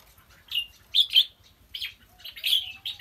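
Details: Decoy fighting red-whiskered bulbul from Kim Bôi, Hòa Bình, sings quick clear chirpy notes in rapid bursts, some slurred and rising, with a faint low whistle underneath and soft rhythmic thumping in the background.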